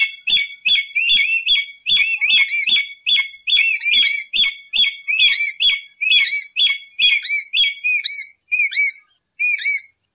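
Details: Lory sounds used as a lure: a long run of sharp, shrill, upslurred whistles with harsh overtones, repeated roughly every half second, slowing and thinning toward the end before stopping.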